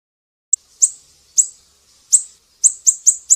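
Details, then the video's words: Actively singing siri-siri used to tutor songbirds such as cucak ijo, murai batu and kacer; after a brief silence, shrill high chirps come irregularly, then speed into a rapid string of four notes. "Masteran burung siri-siri GACOR"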